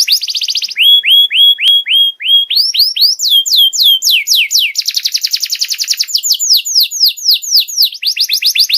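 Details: Juvenile canary tutor recording: repeated rising whistled notes about twice a second, then quick cascades of falling sweeps and a dense, fast trill, all high and clear.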